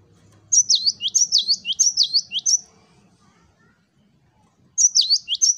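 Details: Cinereous tit, locally gelatik batu, singing loudly in the "wucit wucit" pattern: a burst of about seven quick down-up whistled notes, a pause of two seconds, then the same phrase starting again.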